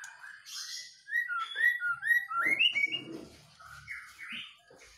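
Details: Caged white-rumped shama, set outside in the early morning dew, singing vigorously: a run of clear, rising and falling whistled notes, several sharply upswept, with brief buzzy bursts high above and a softer trailing phrase.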